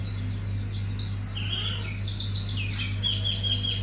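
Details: Hume's white-eye singing wiksar bongkar isian, a fast run of sweet, high warbled notes and quick chirps, ending in a sharp burst and a trailing whistle, with a constant low hum underneath.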